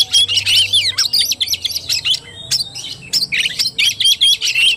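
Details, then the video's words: Tarung-style song from an Oriental magpie-robin, recorded 17 August 2021: choppy, rapid phrases of shrill whistles and squeaky chirps, about two per second, one long clear rising whistle midway, with a faint low hum. "KACER TARUNG"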